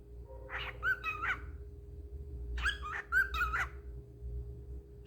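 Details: A cockatiel mimics human speech, saying "what you doing" in two short, squeaky, whistle-toned phrases.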